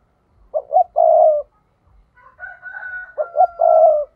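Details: Spotted dove decoy, 'thúc' call for luring wild birds into traps: two three-part phrases of paired short coos and a long buzzy coo, about two and a half seconds apart, with a thin whistle between them.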